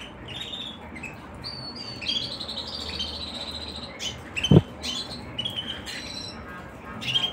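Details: Singing canary delivering bright, sustained high notes with faint trilled texture, then scattered quick chirps and a loud knock midway, indoors with low background hum.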